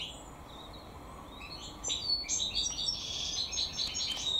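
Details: European goldfinch (maknin or hassoun), bred naturally. Faint scattered chirps lead into a busier passage of high, rapid twittering and tinkling notes in the second half. Steady hiss throughout.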